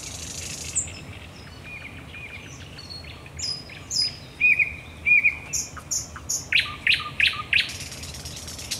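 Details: On 10 May 2021 at night at the Raszyn Ponds, a thrush nightingale gives soft high whistles and slurred phrases, building into a strong series of loud, deliberate repeated notes about twice a second.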